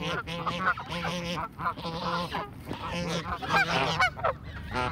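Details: A flock of Canada geese being fed calls in a dense chorus of overlapping nasal honks, rough and harmonic-rich, several birds sounding at once in quick succession with barely a pause.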